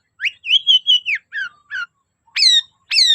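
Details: Long-tailed shrike lure song: a sweet, wavering whistled phrase sliding up and down, a few softer falling notes, then two loud clear downslurred whistles after a short gap.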